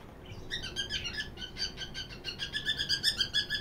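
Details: In the morning, a cockatiel chatters in quick, bright chirps, several notes a second, growing louder toward the end.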